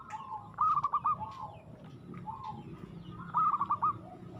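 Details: Local zebra dove, called aggressive, with two soft trilled cooing phrases about three seconds apart over a noisy background.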